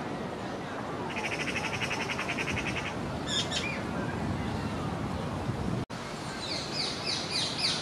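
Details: Young magpie begging a parent for food, two older young foraging nearby; a fast rattling chatter of rapid repeated notes for about two seconds, then scattered squawks and a later burst of high chirps over low background noise.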